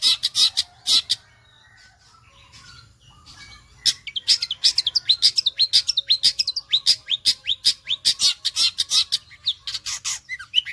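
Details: Vigorous Long-tailed shrike song: a few harsh bursts, a quieter pause of about three seconds, then a dense run of rapid chattering notes and short slurred whistles like a sewing machine.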